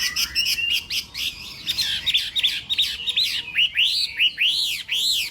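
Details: A Chinese hwamei's morning contest song, starting with buzzy, rough notes and moving into a series of loud arched whistles, each rising and falling, repeated roughly every half second.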